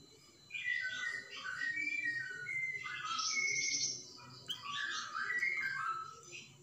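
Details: A flamboyan bird's 'tembakan' song, used as a training model for magpie-robins. Varied clear whistles, slurred falling notes and bursts of high chatter flow almost without pause.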